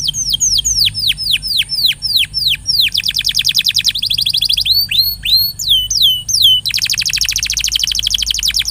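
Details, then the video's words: Lively canary song used as a lure to stimulate a quiet canary to sing more: rapid series of high descending whistled notes, shifting into swooping upward slurs, then a fast dense buzzy trill. "paling jitu memancing kenari macet jadi lebih rajin bunyi ( pancingan kenari)"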